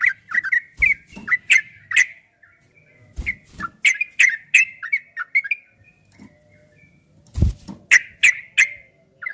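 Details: Trucukan, the yellow-vented bulbul, sings long 'ropel' phrases on a recording meant to make other bulbuls answer: rapid chains of warbled, slurred whistles, a quiet lull around the middle, and occasional low thuds.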